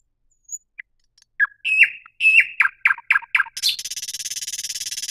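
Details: Thrush nightingale song opening with scattered soft notes, building into loud descending chirps in quick succession, then breaking into a dense, harsh, rapid rattle at the end.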